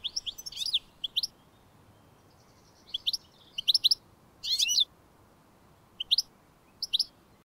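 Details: A wild European goldfinch (Carduelis carduelis) feeding on a teasel head in the UK gives bright, high tinkling chirps and short liquid twitters in scattered bursts with quiet pauses.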